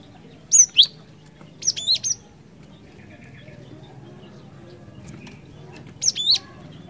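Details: Active cinereous tit singing ngerol ngeplong, used as a lure: a loud, high two-note whistle, a softer triple phrase a second later, then a pause before another sharp paired whistle.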